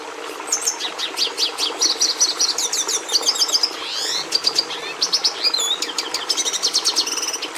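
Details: Red siskin singing: an unbroken stream of bright chattering notes, fast trills and slurred downward sweeps, some notes rising sharply, pulsing in quick rhythmic bursts over soft steady background noise.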